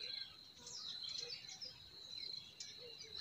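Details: Spring forest birds giving brief sharp chirps and small trills against a constant shrill insect tone and soft low rumble.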